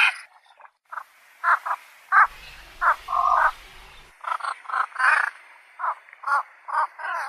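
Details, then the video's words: Harsh croaks from a Javan pond heron, repeated irregularly about every half second, mostly short rasping notes with one longer grating call midway. "SUARA BURUNG BELEKOK SAWAH"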